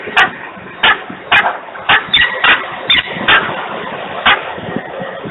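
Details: Peregrine falcon screaming noisily at Włocławek, Poland, on 3 December 2020 at 10:36; harsh, grating calls burst out at irregular intervals of about half a second to a second, with steady background hiss.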